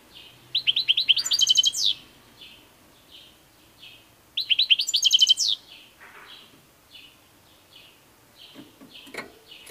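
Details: European goldfinch song in two long, rapid, jangling bursts of tinkling notes about four seconds apart, with softer scattered twitters between and a faint low hum early on.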